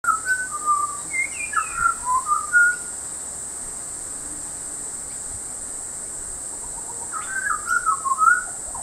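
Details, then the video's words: {'animal': 'butcherbird', 'caption': 'Butcherbird singing at Peachester, Queensland: a run of clear, fluted whistled notes sliding up and down, a pause of several seconds, then another warbling whistled phrase, over a constant high-pitched drone.'} "Butcherbird singing"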